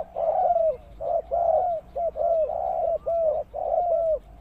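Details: Spotted dove used as a lure bird for trapping: soft, low cooing notes in short groups, each slightly falling, given about once a second with brief gaps and no other clear sounds.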